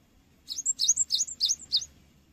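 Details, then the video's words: Song of a Cinereous tit, used as a lure for training birds: five quieter paired high chirps in quick succession over a steady low rumbling background. "SUARA BURUNG GELATIK BATU GACOR UNTUK PANCINGAN"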